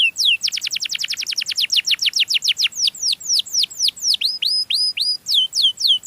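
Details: Canary song intended to attract other canaries: a very rapid series of descending notes that slows into looping hooked whistles.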